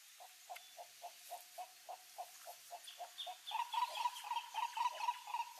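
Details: Green Ibis (Mesembrinibis cayennensis) in the Pantanal giving a rapid run of low, hollow notes, about four a second, growing louder and harsher toward the end as the calling intensifies.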